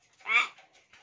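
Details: Talking hill myna imitating human words: one short, harsh, voice-like syllable with a rich harmonic buzz, peaking near the middle. A person coaxes it with Hindi phrases just before and after.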